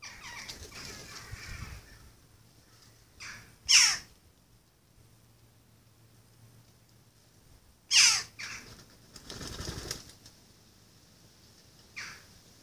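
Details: Young jackdaw, reared in a neighbour's garden by its parents and local boys, repeatedly begs from its carer: loud harsh descending squawks about every four seconds, with quieter rasps and rustling between them.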